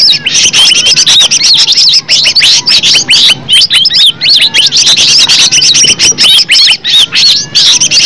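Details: Green leafbird song recorded in nature to provoke leafbirds into answering: fast, high, sweet whistled phrases and short chips packed closely together, loud and nearly unbroken throughout.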